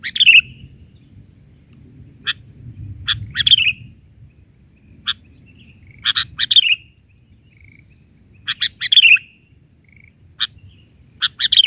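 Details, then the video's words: In full filler song, a sooty-headed bulbul gives short, bubbly, slurred phrases every two to three seconds, with single sharp notes between them, over a faint steady high hiss and a low rumble. "Suara isian...burung kutilang gacor"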